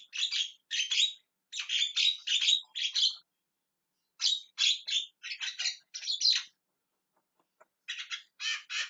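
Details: A Javan myna screams repeatedly: harsh, buzzy squawks in tight clusters, a break near the middle, then more grating notes toward the end.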